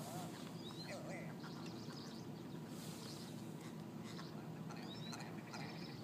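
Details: Squabbling ptarmigan, part of a large flock on a town street in Yellowknife, Northwest Territories; scattered short chattering notes and a few thin whistled slurs over constant low rumbling noise.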